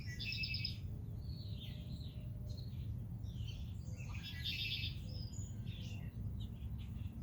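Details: At Rehoboth Beach, Delaware, a red-winged blackbird gives two harsh, buzzy trills about four seconds apart, with assorted chirps and whistles from nearby birds over a constant low roar.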